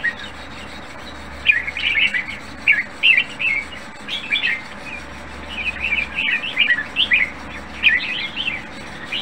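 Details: Red-whiskered bulbul kept in a cage, praised for a fine, faultless voice and nearly contest-ready. Short bubbly warbled phrases of several quick notes, repeated with brief gaps over a low background hum.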